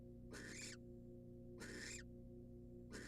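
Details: Wild female barn owl at a monitored nest box taking a rat from the male, giving rasping hissed screeches, two full bursts and the start of a third, over a constant low mechanical hum.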